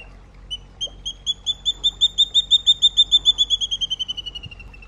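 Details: Water thick-knee gives a long run of clear piping whistles that speeds up, swells, then slows and sinks slightly in pitch, about twenty-five notes in five seconds.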